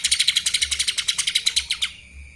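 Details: Rapid, loud stream of high, ringing chatter from a lesser green leafbird in kapas tembak style, about twenty evenly spaced notes in under two seconds, then fading to a steady background whine.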